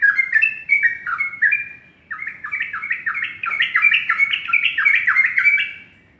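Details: Morning song of a yellow-vented bulbul, a nearly continuous run of rapid, bubbly, slurred notes that rise and fall, with one brief gap partway through.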